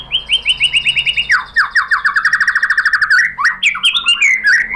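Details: White-rumped shama song meant to stir other shamas into singing: a fast series of downslurred whistles, about a dozen per phrase, shifting to lower repeated notes and ending in varied, jumbled chirping phrases.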